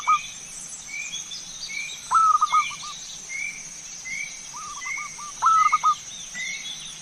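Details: Zebra dove song used as a lure: several stuttering cooing phrases against noisy background, while another bird repeats short, higher slurred whistles steadily throughout.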